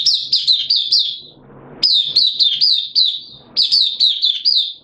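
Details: A captive Oriental white-eye, recorded 8 September 2022 with its singing form said to have dipped a little, sings rapid, high, sweet twittering phrases of quick up-and-down notes, pausing briefly between bursts, with faint room noise behind.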